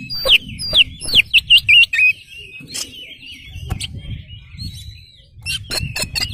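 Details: Oriental magpie-robin in full song, used as a lure to make other magpie-robins answer: quick run of sharp, upward-flicked whistles, then a warbling, wavering high phrase and scattered clicks. Low background rumble.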